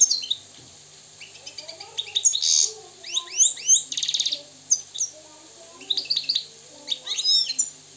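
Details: European goldfinch from Morocco, called free and purebred, in song: bursts of quick liquid twitters and sweeping high notes, a dry buzzy rattle near the middle, phrases separated by brief gaps.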